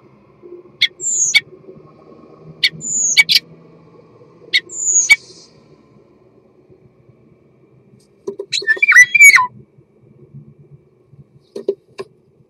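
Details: Mating song of a common starling: three short, high downslurred whistles, each followed by a click, spaced about two seconds apart, then a dense, jumbled burst of chattering notes and a final click.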